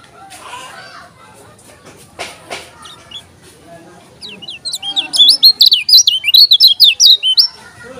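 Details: Lombok yellow-crowned bulbul from Lombok singing. After a quiet, noisy opening, a loud burst of rapid, high, sharply modulated chirping notes runs through the second half, about two per second, over faint background noise.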